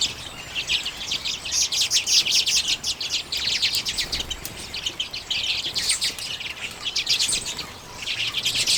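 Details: Sunflower-seed-feeding common redpolls in late January 2022, Canon EOS M50 recording: loud, continuous high twittering and chirping from several birds, with brief lulls around three and seven seconds.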